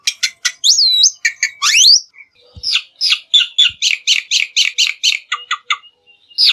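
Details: Black-winged myna singing, recorded as a lure to make birds sing: varied chatter with looping whistled slurs early on, then a fast regular series of buzzy repeated notes and brief clicks.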